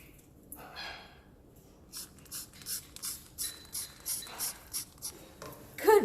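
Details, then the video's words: Pet cockatoo, asked what the Windex says, imitates a spray bottle with a quick series of breathy, hissing bursts, about three per second, then a louder voiced sound at the end. "Cockatoo Makes The sound Of Windex Spraying"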